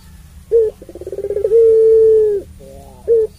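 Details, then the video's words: A Barbary dove gives a long low coo, used to provoke other doves to call: quick stuttering pulses run into one long, steady hooting note of about a second, then a short closing coo. "Puter Pelung Suara Panjang"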